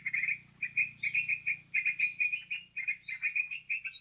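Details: Sooty-headed bulbul sound for luring birds into traps: rapid scratchy chatter with loud rising whistled sweeps about every second, over a soft low background hum.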